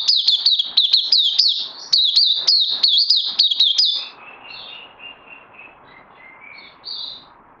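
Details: Oriental white-eye (puteh), a kept bird on its second day of combined health supplements, recorded 31 May 2020: a fast, loud run of sharp, rising-falling chirped notes for four seconds, then soft, scattered, thin notes over quiet background hiss.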